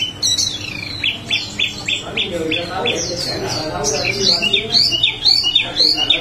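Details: Small minivet singing energetically in the rolling 'ngerol' style: a fast run of high, sharp chirps and downslurred whistles, about two per second, then tumbling twittered phrases, with a faint steady hum underneath.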